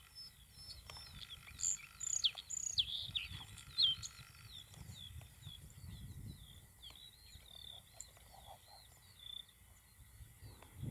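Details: Bluethroat in June 2021 giving a varied song of high squeaky notes, short buzzy slurs and faint twitters, loudest in the first four seconds, over steady low background noise.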